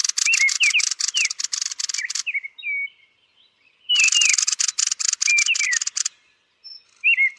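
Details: Rasping pulsed chatter from a roosting Turdus thrush, interspersed with quick downslurred whistled notes, two main bursts with a quieter whistled interlude between them.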